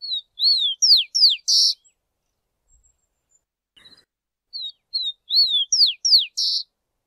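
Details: Rufous-collared sparrow (Zonotrichia capensis) singing two clear songs: sweet slurred whistles, several falling notes, ending in a short buzzy trill, with a pause between songs.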